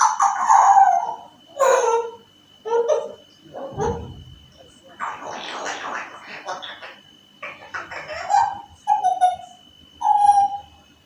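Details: Talking African grey parrot imitating sounds: voice-like phrases and a noisy, rasping stretch, then a run of three clear, narrow whistled notes near the end, each about half a second long.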